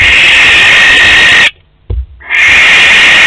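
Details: Harsh, breathy screeches from a barn owl of a pair visiting its nest box at Théding, 12 May 2020, two long rasping bursts separated by a short silence with a faint tap.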